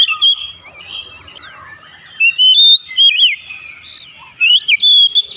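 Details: Oriental magpie-robin song for beak-opening therapy: a pure whistled phrase, a quiet pause, then further sliding whistles and a brief harsh buzz near the end.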